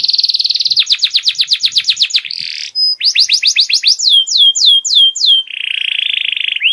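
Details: Canary master song for helping juvenile canaries develop song phrases: a rapid pulsed trill, a single clear note, then repeated falling sweeps and ending in a smooth, fast buzzing roll.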